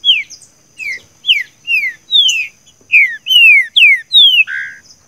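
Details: Green-winged saltator performing the "seu chico" song style used to train a captive bird: about ten loud slurred whistles, each dropping in pitch, repeated roughly every half second, ending on a buzzy burred note.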